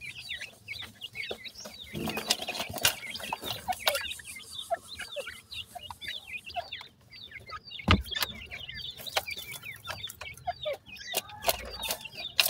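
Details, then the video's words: Francolin (teetar) chicks feeding and playing in the evening give a busy chorus of thin, high, rapid cheeps, several birds overlapping, with scattered clicks and soft rustling underneath. "teter checks ki sound"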